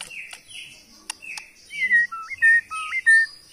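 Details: White-rumped shama from Kalimantan, Borneo, gives clear whistles, each stepping down then up with a sharp jump, repeated about four times after quieter opening notes.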